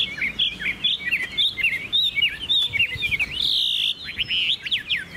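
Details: Caged Chinese hwamei singing: quick, varied whistled twists and slurs, then a sustained buzzy note and a few sharp downward whistles to close.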